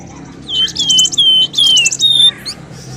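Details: Bird lure meant to bring birds out of bushes: ringing whistles sliding downward, mixed with rapid scratchy high notes, two phrases close together.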